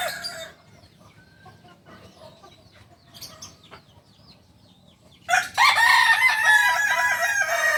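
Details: Kokok Balenggek rooster, native to Solok, West Sumatra, Indonesia, a breed noted for crowing in up to 19 tiers; the tail of a crow opens, then several quiet seconds with faint noises, then a strong, rasping harmonic crow for the final two and a half seconds.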